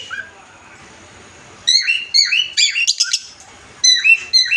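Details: Loud-voiced adult cockatiels calling their partner: after a quiet start, bursts of bright harmonic chirps and short whistled squawks come in clustered runs against a constant hiss.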